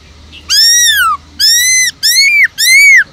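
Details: Forest-voice singing of a caged Black-throated laughingthrush, meant to fire up other caged birds: four long, loud arched whistles, the first falling away at the end, evenly spaced.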